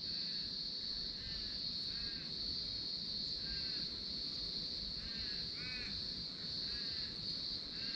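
Wonga pigeon giving loud, hollow, monotonous notes repeated about once a second, over a steady high-pitched insect drone.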